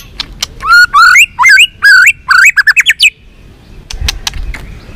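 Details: White-rumped shama in fighting song used to stir up other shamas: a fast series of loud, bright, rising whistled phrases for about two seconds, then near silence with faint clicks.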